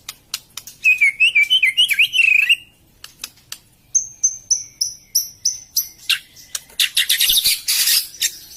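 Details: White-rumped shama song played as a lure for shamas that are lazy to sing, stalled or just out of moult: a wavering warbled phrase, a pause, then evenly repeated high pure notes and a burst of harsh buzzy chatter.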